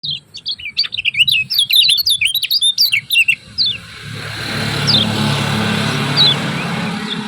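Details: Kecial kuning from Lombok giving rapid ciak-ciak chirping, used as a tutor and lure song: a quick burst of high, sharp, downslurred chirps for about three seconds, then a few scattered notes over a steady rumbling background noise.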